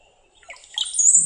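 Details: Brown-headed Cowbird song: a few low, liquid gurgling notes like water drops, then a thin, very high, sliding whistle, with a faint low rumble at the end.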